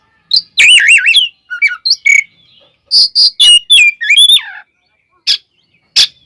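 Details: Oriental magpie-robin (kacer) singing a combative song to provoke other birds: fast looping whistled trills, then harsh repeated bursts and a falling slurred whistle, followed by sparse clicks.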